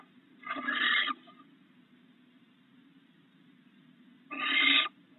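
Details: Barn owls at a nest box, a female sitting on eggs as the male flies to the perch with a rat, chased by an intruding owl: two harsh, hissing screeches, each about half a second long, roughly three seconds apart.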